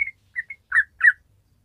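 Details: Yellow-vented bulbul in rapid, long 'ropel' chattering song, used as a lure to get untrained bulbuls singing: five short whistled chirps, the first three thin and clipped, the last two fuller and warbling, in under two seconds.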